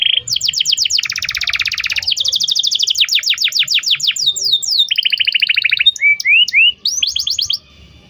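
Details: Canary song played as a tutor for a young bird learning to sing and as therapy for a bird that has stopped singing: fast repeated trills and rolling tours, then sliding rising whistles, ending abruptly.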